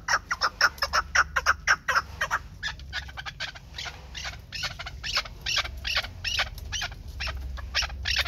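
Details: Pamir chukar partridges kept as hunting decoys, tethered and in a basket cage; harsh clucking notes in a rapid series, loudest over the first two seconds, then softer irregular chuks continue with low background rumble.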